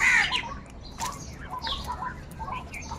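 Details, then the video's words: Crows calling angrily, continuously and loudly: a loud harsh burst opens, then rougher, quieter calls repeat through the rest. "Crow Crying Continuously and Loudly |kaka sound and noises of crow birds | Angry kauwa ki awaaz"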